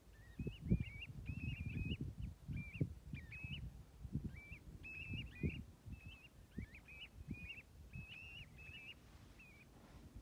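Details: Flock of about 65 common ringed plovers calling together at Stornäset, Alnö, on 7 October 2021: many short, rising piping notes overlapping in a busy chorus, over low rumbling thumps.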